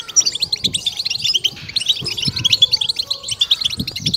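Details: European goldfinch 'betbeta' song for exciting caged goldfinches, bright ringing notes mixed with fast twitters and short buzzy trills, over faint low rumbling.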